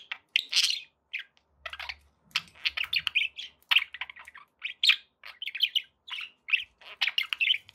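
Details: Several happy pet budgerigars chirping in quick bursts of sharp, scratchy tweets and squeaks, each burst short and separated by tiny gaps, with a soft low thump near two seconds.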